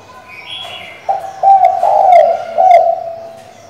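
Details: Female spotted dove summoning the male, meant to rouse a decoy bird; one steady coo phrase, a short opening note then several linked low hoots fading at the end, with a brief high chirp before it.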